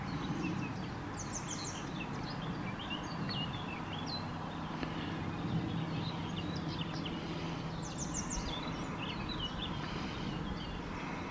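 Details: Grey wagtail on the Ropa river giving short, sharp, high tsit notes in two quick bursts, several seconds apart, over a steady low rushing of water and distant hum.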